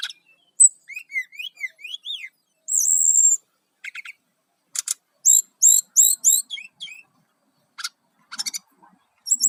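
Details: Brown-chested jungle flycatcher in full vigorous song, played to lure wild birds: a varied run of high chirps, rising slurred whistles, dense buzzy bursts and sharp repeated notes in irregular clusters, with short silent gaps between phrases.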